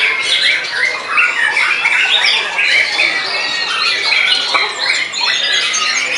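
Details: White-rumped shama, a caged contest bird just after moulting, singing intensely; dense, fast torrent of varied whistles, trills and harsh squawky notes, continuous without pause.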